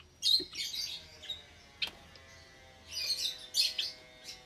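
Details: Java sparrows in an aviary with hatchlings, Sunday morning, 8 May 2022. Bursts of high twittering and a sharp chip are heard, with a faint steady hum behind them.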